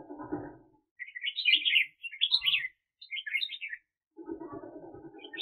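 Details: Decoy red-whiskered bulbul for bird trapping, 2021, pours out three vivid, rolling warbled phrases about a second apart, framed by a low, muffled rumbling noise at the start and end.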